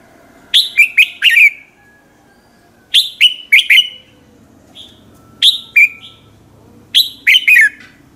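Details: Red-whiskered bulbul giving morning competition song to stimulate other bulbuls; four loud phrases about every two seconds, each a cluster of two to four crisp whistles swooping downward, with a faint softer note between.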